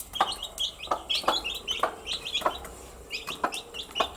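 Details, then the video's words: A group of baby chickens in daily activity, peeping steadily in short, high, slightly slurred notes, several birds overlapping, with regular sharp taps about every half second. "Cute Baby Chicks with chirping sound"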